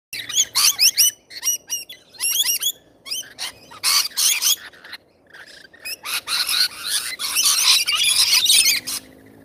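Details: Wild rainbow lorikeets feeding, giving a rapid stream of shrill, screechy chattering calls with sharp squeaks, several birds calling over one another in dense bursts.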